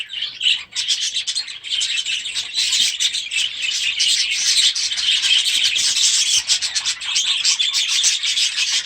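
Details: Young budgerigars in a new aviary at the start of the season, a steady wall of high scratchy flock chatter and chirps lasting the whole stretch with no breaks.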